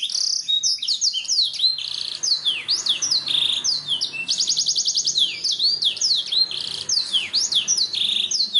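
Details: Black-throated canary singing a fast, continuous, varied song: high sweeping whistles, buzzy rattling trills and chirped phrases strung together without pause, with no other clear sounds.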